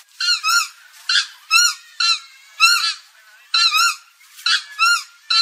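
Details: Loud nasal honks of a Purple swamphen, often in pairs, each note bright and rich in overtones, repeated about every half second to second.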